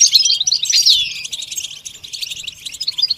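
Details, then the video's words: Goldfinch song beginning with a loud jumble of high chirps and a descending twittered phrase, followed by softer, scattered high notes. "The basics of training the goldfinch to sing"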